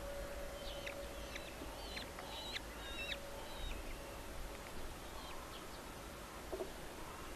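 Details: Two hungry red-footed falcon chicks at a nest, on 3 July 2023 as their father brings a small vole, give thin, high, rapid chittering calls in short bursts over a steady low hum and faint background noise.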